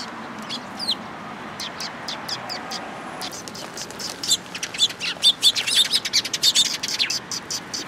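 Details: A flock of Eurasian tree sparrows at a Tenmangu shrine in Japan on 14 April 2022. Scattered high chirps at first build into a dense, overlapping chatter of many birds in the last half. A low rumble sits underneath.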